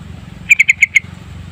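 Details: Lure recording of a yellow-vented bulbul singing: five sharp, clear chirps in rapid even succession lasting roughly half a second, all at one pitch, with a quiet low rumble beneath.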